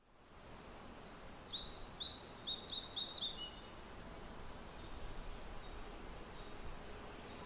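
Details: Red-breasted flycatcher (Ficedula parva) in beech forest on Sweden's west coast in summer sings a quick run of high, paired notes stepping downward over about three seconds, followed by soft background hiss.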